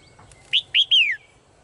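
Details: Caged female bird gives a clear three-part call. Two short chirps are followed by a long whistle that glides steadily downward. A faint steady tone sounds in the background.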